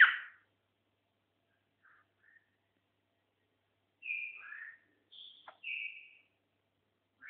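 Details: A seven-year-old white-eared bulbul, described as rarely found, gives short, bubbly whistled phrases with a few quick slurred notes, spaced by pauses of several seconds; nothing else is heard.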